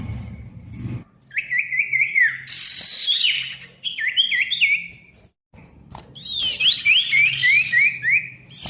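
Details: Male ashy tailorbird singing noisy gacor song to revive silent birds: rapid repeated whistled notes about three per second, harsh buzzy bursts between phrases, and a brief low hum at the start.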